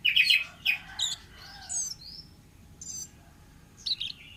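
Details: Forest orange-headed thrush singing a dense, varied warble of rich chirps, twittering notes and a drawn-out rising whistle, followed by a brief buzzy burst and a closing trill.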